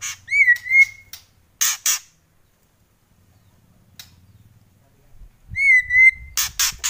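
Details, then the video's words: White-rumped shama in kretekan style: clear whistled notes with a rising then level tone, followed by loud harsh rasping bursts, the pattern repeated after a silent pause. "Kretekan Murai Keras"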